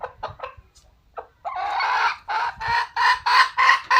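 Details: Wild red junglefowl giving quick clipped notes that lead into a long rasping note, followed by a run of harsh, evenly spaced cackles, each a rough burst that fades at its tail.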